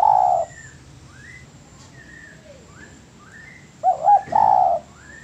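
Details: Spotted dove phrases as master training audio: a long coo at the start, several soft rising whistled notes from other birds, then a double hoot and a drawn-out wavering coo.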